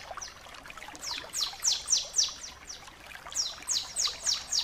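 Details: Bar-winged prinia song used as a tutor recording to train other birds: rapid series of high, descending swept notes, about four per second, in two bursts with a brief pause between.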